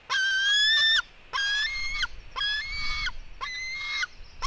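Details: White-tailed eagle eaglets fighting, female against her brother: four long, strained, squealing screams, each steady and harsh, roughly one per second.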